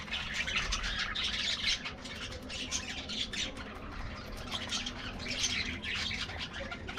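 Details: Colorful budgies in an aviary colony getting a morning diet treat; a dense, continuous wash of high squawks and chirps from many birds at once, fairly soft and steady throughout, with low rumbling background noise.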